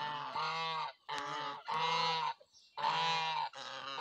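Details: Geese honking: four long, nasal, harmonic-rich honks, each nearly a second, with short silent gaps between them.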